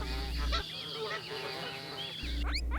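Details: Geese presented as farm animals, honking: several overlapping nasal, harmonic calls that bend up and down, crowded together through most of the stretch over a steady low hum, with a few sharper rising notes near the end.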